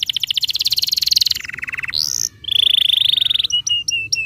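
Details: Canary song used as a lure to get young canaries singing: a dense rolled trill that drops in pitch, a short rising whistle, a long steady buzzy roll, then clipped high notes.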